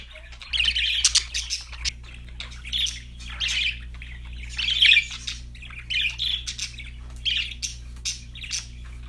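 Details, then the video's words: Cheerful parakeets chirping: squawky, scratchy bursts of chirps about every second, separated by short quiet gaps, over a constant low electrical hum. "budgies chirping sound"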